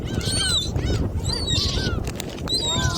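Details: Gulls at Jebudo, Korea, during feeding with shrimp snacks: thin arching cries above a heavy low rumble of wind or engine noise, a few calls in short succession.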